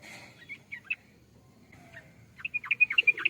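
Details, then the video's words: Scattered chirps, then a rapid crescendo of sharp, bubbly notes from a yellow-vented bulbul at the end, over a quiet low hum. "burung trucukan"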